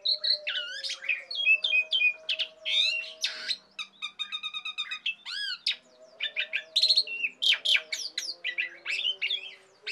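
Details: Caged Asian pied starling in loud song used as a master and lure for training songbirds: varied whistles, harsh squawks, buzzy rattles and sweeping notes in rapid bursts, over a steady low hum.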